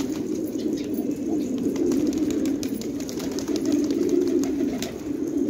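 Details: Many fighting tumbler pigeons at a village home in Khanabad, Afghanistan, cooing in waves of low, rolling murmurs that swell and fade, with faint clicks behind.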